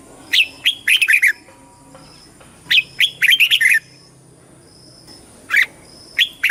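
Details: Red-whiskered bulbul in competitive singing for flock calling and voice training, repeating quick phrases of four to five bright warbled notes every couple of seconds, with a few spaced chirps.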